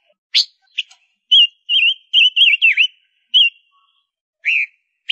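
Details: Lure-bird female Gouldian finch giving scattered chips and short wavy whistled notes, several strung together with a falling dip, then spaced single whistles. A quiet background with no other sounds.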